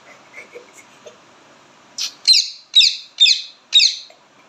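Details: Soft scattered noises, then a sharp burst and four loud, harsh, buzzy squawks from an Indian ringneck parakeet, repeated about every half second.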